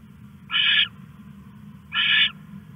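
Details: Owl at night, 1:41 AM on August 21, 2015, while stashing a rat. It gives two harsh, raspy screeches about a second and a half apart over a low background hum.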